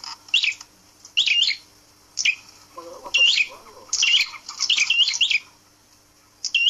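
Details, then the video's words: Caged red-headed prinia hung up high so it tames quickly, giving sharp, high chirping bursts in irregular clusters about once a second, with faint low murmuring in the background. "Prenjak kepala merah dijantur agar cepat jinak"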